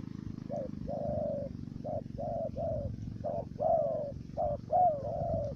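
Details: Trapping decoy dove in Cà Mau, Vietnam, delivering its stuttering coo: a rapid series of short, mellow hoots, some drawn out, run together almost without pause over a steady low mechanical hum.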